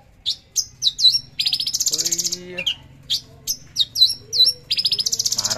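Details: A Javan bush lark, recorded on Tuesday 13 December 2022 at 10 a.m., sings high, sharp whistled notes and swooping phrases broken by fast, rattling trills, with a brief low hum in the background.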